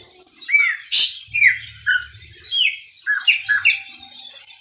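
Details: Chopi blackbird, singing a lot in the Maranhãozinho style, gives loud metallic whistles and liquid slurred chirps in quick clusters, rich in harsh overtones, with a short low buzzing hum partway through.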